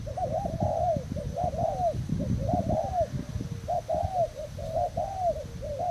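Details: Spotted dove of a Thai line, a decoy bird, recorded 18 June 2018, gives repeated phrases of hollow, arching coos in groups of three or four, with a low droning background and knocks.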